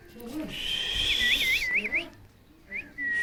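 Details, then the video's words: Alexandrine parakeet in an angry mood: a sustained rasping screech followed by a wavering, looping whistle, then a short rising whistle at the end. "original voice 😜 angry 😡 parrot"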